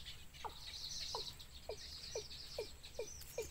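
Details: Wild baby birds at the nest beg their mother for food, with a clear downward-sliding note repeated about twice a second over a soft wash of high chirps.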